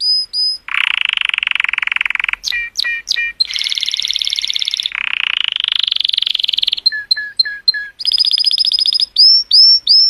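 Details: Canary of a color variety singing to stimulate females, alternating buzzy trills, sharp slurred notes, a high ringing trill and clear upslurred whistles over about ten seconds.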